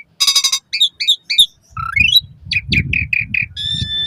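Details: Asian pied starling song played as a lure to bring caged starlings into full song, morning and evening: rapid harsh buzzy bursts, then clipped whistles, a rising slurred whistle and repeated short notes, over low rumbling background noise.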